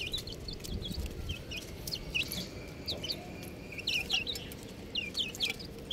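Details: Several young chicks peeping steadily, with high, thin, downslurred notes in quick, irregular runs throughout and a faint low rumble behind them.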